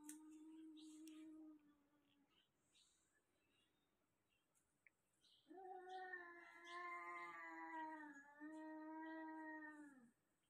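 An African grey parrot mimics a cat with drawn-out, nasal, meow-like wails.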